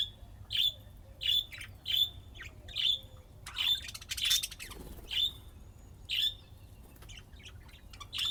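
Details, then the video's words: Pet budgerigars playing and chirping: short bright chirps with a buzzy edge, repeated roughly every second in an uneven rhythm, with a brief scratchy burst midway and little background noise. "طيور الحب لعب وزقزقة"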